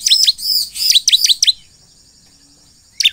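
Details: Energetic crescent-chested puffback song used to make others of its kind answer: quick burst of high, squeaky down-slurred notes for over a second, then near silence and one last chirp.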